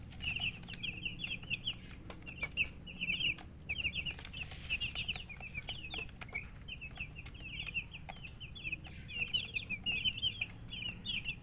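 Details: Baby chicken chicks chirping steadily: a dense stream of short, high, downslurred peeps from several birds at once, overlapping almost without pause, with low background hum and occasional soft knocks.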